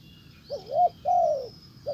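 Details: Spotted dove acting as a decoy to call back a wild dove; one full phrase of wavering double coo and a long falling coo, the next phrase just starting, over a faint high whine.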